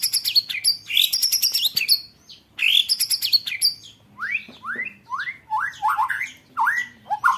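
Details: Song for training contest birds, white-rumped shama in 'roll tembakan' style: dense high rattling rolls, then a series of upward-sweeping whistled notes repeated roughly every half second.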